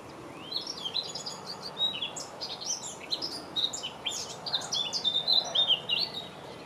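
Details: Eurasian blackcap in full song, May 2018: a long, rambling warble of quick high chirps and twitters, rising in volume toward a run of rich, fluty whistled notes at the end.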